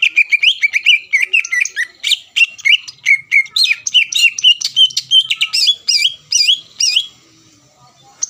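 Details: Greater green leafbird song used as a lure to anger rivals, a dense run of bright whistled and slurred notes, later notes rising and flicking upward, stopping abruptly near the end.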